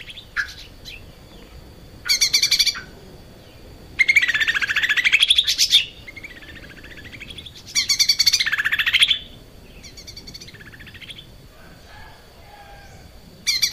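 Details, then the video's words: Lively Lesser Green Leafbird kept as a cage bird, singing for a training recording: repeated loud bursts of dense, scratchy, rapidly warbled notes, each lasting one to two seconds, separated by quieter whistled fragments, with a constant high-pitched hum behind. "kicau cucak ijo mini gacor buat masteran"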